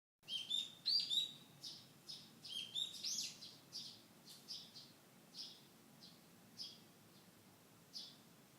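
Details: Wild birds singing in a garden in Fukushima, Japan, in early July 2013, during summer. Bright, high chirps and short twittering phrases arrive in quick, uneven bursts, loudest early on, then thinning to scattered single notes over a quiet background hum.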